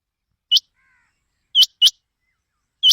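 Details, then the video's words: A quail gives four short, sharp, high chipping notes, spaced irregularly over three seconds with a brief double note in the middle, a call used for quail hunting. "chinga ki awaz"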